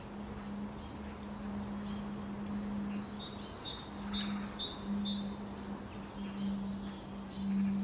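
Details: Common linnet (Linaria cannabina) sings a quick, bright twitter of high chirps and trills over a steady low hum.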